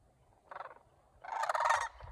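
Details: Local cranes in Homer, Alaska, on 9 September 2023, restless with pre-migration energy during a morning after a coyote scattered the flock, give two loud, rolling, rattling calls: a short burst, then a longer throaty trumpeting one, with low rumble.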